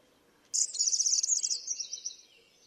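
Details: Male Atlantic canary singing a single high, dense trilled phrase lasting about two seconds, starting loud and sharp and then fading into a thinner, gradually falling buzz against a quiet background.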